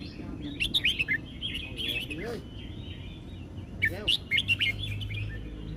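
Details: Red-whiskered bulbul singing in the 'sai nen kham' (word-emphasis) style: bright warbled phrases in short bursts, two clusters of quick slurred notes separated by a pause, with faint low background rumble.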